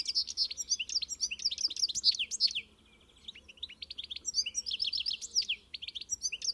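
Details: European goldfinch song: quick, sparkling twittered notes and slurred chirps for two and a half seconds, a short soft buzzy pause, then the bright tinkling phrases resume.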